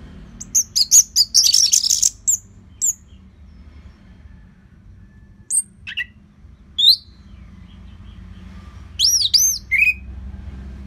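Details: Orange-headed thrush song meant for training other birds: scattered high thin chips and short twitters, then a few isolated notes and a final quick cluster of looping whistles, with long gaps.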